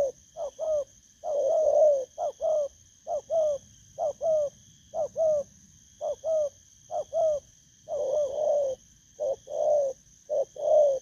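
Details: A wild-caught spotted dove coos steadily, pairing short soft notes with longer throaty rolled coos in a loose rhythm for eleven seconds, over a thin continuous electronic whine.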